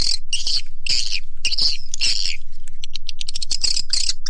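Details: Swiftlet lure call for attracting swiftlets: loud, harsh chirping bursts repeated about every half second, interspersed with short clicks.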